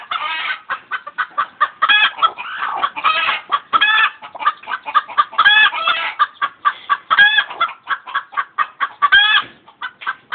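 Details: Chickens clucking and screeching continuously, rapid overlapping clucks several per second with repeated louder harsh squawks scattered throughout, a busy flock.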